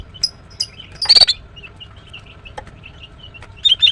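A greater green leafbird, a female, gives short, high chirps. Scattered sharp notes surround one louder, rapid twittering burst early on and a quick cluster at the end.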